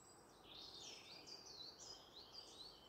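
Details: Wood warbler in the Peak District, 13 June 2021, giving high, thin, rapidly wavering notes that run together for about two and a half seconds, fairly faint over a steady outdoor hiss.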